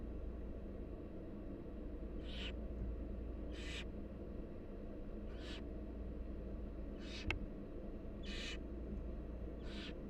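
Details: Wild barn owl chicks beg for food from their mother with six rasping, snore-like hisses at irregular intervals, plus one sharp click and constant low background hum.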